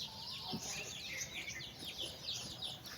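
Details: Chickens outdoors: a mother hen calls her chicks for a walk. A crowd of chicks peeps shrilly and nonstop in quick descending notes, while a low hen cluck sounds faintly under steady background hiss.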